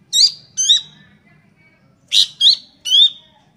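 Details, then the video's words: A young Sunda bush warbler, said to call busily, utters loud, high, slurred chirps that dip at the end, two in quick succession, a pause, then three more. "SUARA ANAKAN PELANDUK SEMAK GACOR, CINGCOHO GACOR"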